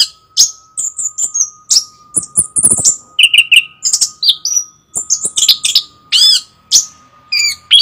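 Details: Loud, rich song of a chestnut-capped thrush: a long stream of shrill whistles, quick trills, repeated lower chirps and harsh buzzy phrases, with hardly a pause and a steady faint hum throughout.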